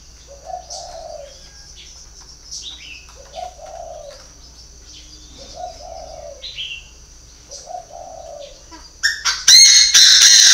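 A Chinese francolin gives a harsh, burry phrase with short higher notes about every two seconds over a thin, steady high whine, ending in loud rustling noise.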